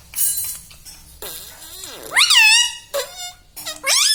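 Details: Household pet parrot talking in a room, taught words such as mummy, papa and radhe radhe; rasping, rising-then-falling voiced phrases, several in quick succession, with faint background hum.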